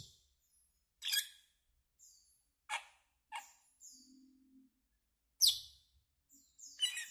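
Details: Asian glossy starling giving an irregular series of shrill, sharp chirps and clipped notes, some strong and some faint, over otherwise quiet surroundings.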